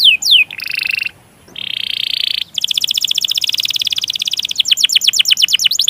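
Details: Canary long roll used to stimulate other canaries: quick downslurs, a buzzy roll, a short silence, another steady buzzing roll, then a long rapid trill of clipped notes.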